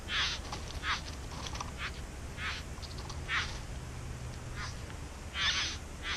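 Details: Back-yard bowerbirds at their nest giving scattered scratchy, hissing bursts of varying loudness, some faint and some stronger, with low rumbling background noise throughout.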